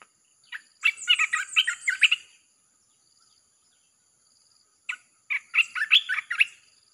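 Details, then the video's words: Red-whiskered bulbul in nonstop 'chopping' song played to attract wild birds: a long jumbled burst of rapid, rich warbled notes overlaid by a high thin trill, then after a pause a second chattering burst. "เสียงนกกรงตาแดงEp.158 สับไม่หยุด!! เปิดล่อนกป่าเข้า"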